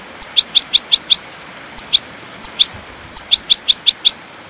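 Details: European goldfinch singing, a recording meant to train pet birds: sharp, high ticking notes delivered in clustered bursts of two to six, separated by brief pauses, over a faint steady hiss.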